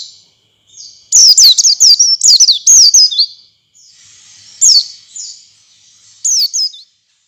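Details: Oriental white-eye song used to stimulate other white-eyes to sing: very high, thin, rapid twittering and warbled notes in short bursts, with sharp clicks and pauses between phrases.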